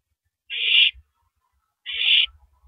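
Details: Owl on a live nest camera at 3:33 AM on April 9, 2012, while tearing apart and swallowing a big rabbit: two harsh, breathy hissing screeches about a second apart, with low thumps and rustles from feeding.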